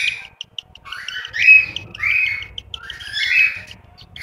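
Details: Nest of cockatiel chicks in Juazeiro do Norte, Ceará, Brazil: a few drawn-out, hoarse, upslurred rasps separated by pauses, with faint clicks in between.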